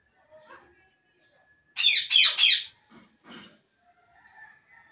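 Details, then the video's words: A talking pet Indian ringneck parakeet gives three rapid, harsh, speech-like squawks in quick succession, then a couple of softer chattering notes, in a quiet room. "Indian Ringneck Parrot sound,A Life of an Indian Ringneck talking"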